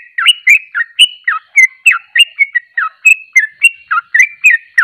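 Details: Sooty-headed bulbul, known locally as trucuk, singing in the rapid-fire ropelan style: quick, bright two-part notes that dip and rise, about three or four a second, run on without pause. The background is clean.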